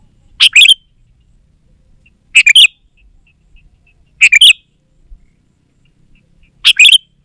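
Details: Sooty-headed bulbul phrase repeated as a lure for wild bulbuls and to get quiet garden birds singing: four short, crisp, bubbly phrases, one about every two to two and a half seconds, with near silence between.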